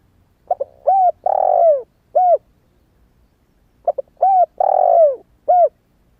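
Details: Young spotted dove used to lure wild doves, just started calling and not yet moulted: two repeated coo phrases with quick soft lead-in notes, a rounded coo, a long falling coo and a short closing note, in a quiet setting.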